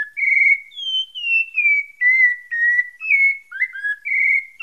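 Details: Pale-breasted thrush from Bahia singing a series of clear, slurred whistled phrases. Each note is held briefly, some rising and others falling, with short pauses between them and a slightly lower, wavering note near the end.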